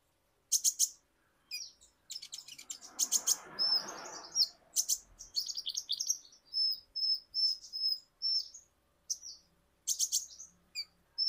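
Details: Kolibri ninja (ninja hummingbird), an Indonesian songbird, in a lure recording meant to get untrained birds singing: high thin whistles and bursts of sharp chirps, with a brief soft rushing noise early on.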